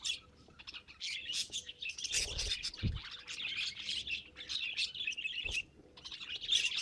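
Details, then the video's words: Pet budgerigar giving a continuous warbling chatter of quick chirps and buzzy trills, with a few soft thumps in the background. "Funny Budgie Sounds"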